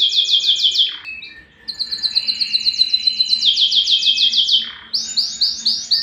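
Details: Singing yellow canary delivers bursts of fast, high trills separated by brief dips and pauses, each burst of rapid repeated notes at a slightly different pitch.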